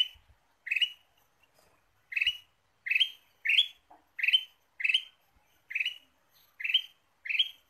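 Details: Ruby-throated bulbul chirps used for luring: a few spaced notes at first, then a quickening run of crisp, rising, ringing chirps roughly every half second, against a nearly silent background.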